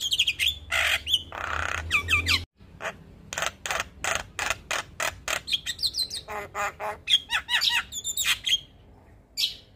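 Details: Morning tutoring recording of a champion white-eyed black-winged starling full of fill-in phrases: dense bursts of raspy chatter and loud clicks, with rising whistled trills near the end and a brief cut midway.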